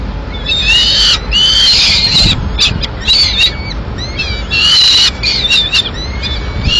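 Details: Peregrine falcon at a nest in Madrid, 21 May 2016: the female brings a piece of pigeon to feed two chicks. Harsh, harmonic, slightly rising screeching wails come in bursts of about a second, with shorter squeals between them.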